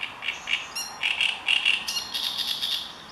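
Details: Marsh warbler singing a fast medley of chirps, thin high whistles and scratchy trills, notes tumbling together with little pause.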